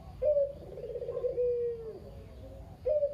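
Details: Lone captive male Barbary dove, local kugeru type, whose mate died, calling as a lure for other doves: one full coo with a sharp rising start, a rolling middle and a long sliding fall, then the next coo starting.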